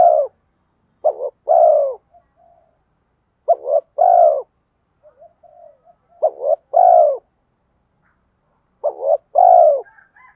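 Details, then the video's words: Spotted dove calling in the 'giọng đồng' style with 'mắt me' accompaniment, a lure for wild doves; four regular phrases of a stuttered double note and a sustained falling coo, about 23 per minute, with faint soft murmurs between. "Cu gáy giọng đồng pha thúc Gù Kèm Mắt Me rút chim bổi cu gáy rừng nhanh về cội"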